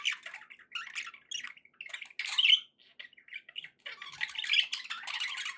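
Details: Budgerigars kept as pets, chattering softly: uneven runs of scratchy chirps and little squawks, a louder grating burst partway through, then busier overlapping warbling toward the end.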